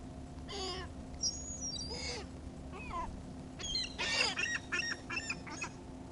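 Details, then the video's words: Seagulls being fed give several squealing, mewing calls in irregular bursts over steady low background hum. "Feeding the seagulls"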